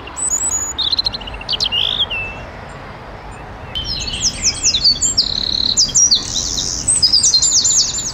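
A Eurasian Wren sings a loud, fast, high-pitched song of rapid trills and sharp notes, with a pause between bursts.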